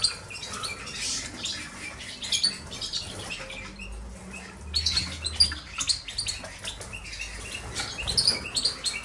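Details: Five caged goldfinch hybrids, crossed with canaries and Himalayan greenfinch, giving bright, scratchy twittering bursts in quick irregular runs, with short pauses between phrases and some rustling and low hum beneath.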